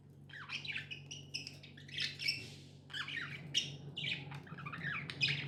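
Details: Chirping from pet budgies: a dense, fast run of scratchy warbles and sharp squeaky notes, nearly continuous, against a low background hum.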